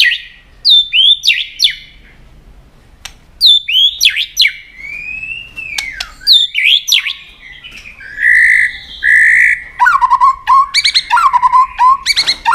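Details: A White-rumped shama's long fighting song, tail-flicking to provoke a rival: varied whistled phrases with sweeping, swooping notes and pauses between them, ending in dense, rapid chattering trills.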